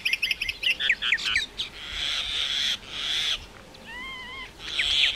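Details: Common myna, also called Indian myna, singing: a burst of rapid clicking chatter, then long harsh, rasping, hissing notes alternating with a few clear whistled, wavering tones.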